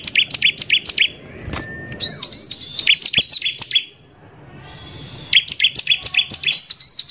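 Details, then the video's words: Bar-winged prinia singing hard in the rough 'nembak kasar' style used as a lure to agitate other prinias; quick runs of piercing chirps, a long flat whistle, then a pause before another chirping burst. "PANCINGAN CIBLEK GACOR NEMBAK KASAR INI PALING BISA BIKIN CIBLEK EMOSI"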